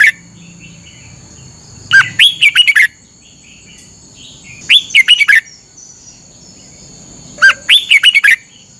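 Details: Red-whiskered bulbul training song from Thailand, used each morning to teach caged birds. Three short, lively phrases of rapid whistled notes come at roughly 2.7-second intervals, with a constant thin high-pitched tone behind.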